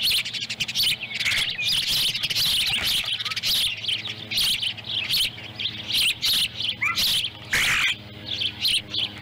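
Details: Osprey family at a nest in Lolo, Montana, July 18, 2017, the younger chick picking up dropped fish pieces. Busy, overlapping high chirps and squeals keep going with brief breaks, plus a few short rising whistles.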